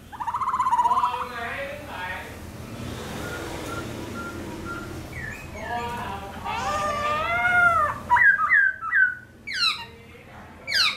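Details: Black-throated laughingthrush; song; stimulating captive birds to sing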